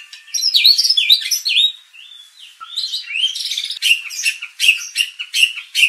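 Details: White-rumped shama lure song to stir aggression in contest birds; tumbling rich whistles and slurred phrases, a short quiet gap, then clipped harsh notes repeated in bursts.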